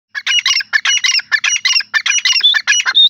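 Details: Grey francolin calling: a dense run of harsh, high, clipped notes in quick groups of two or three, pouring out almost without pause for three seconds, ending on thinner squeaky notes.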